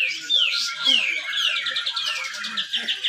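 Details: Dense 'besetan rapet' contest song of a caged grey-cheeked bulbul at a Malinau, North Kalimantan songbird competition: high downward-sliding whistles followed by a fast run of short repeated chirps.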